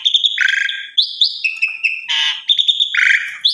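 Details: Asian pied starling song for training other starlings: short whistled notes alternating with harsh buzzy rasps and a broad grating burst, brisk and uneven in rhythm.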